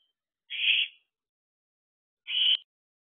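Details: Hungry fledged owlet begging near an owl box after midnight; two short rasping hissed screeches about two seconds apart, followed by a brief sharp click.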